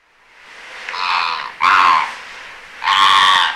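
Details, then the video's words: Immature greater flamingo in winter, 25 January 2022, recorded from a very noisy bird observatory in Aiguamolls Natural Park, Spain. It gives three harsh, nasal, goose-like honks, each about half a second long, the last two louder and more grating. "FLAMANT Rose/Immature/Hiver/Cris"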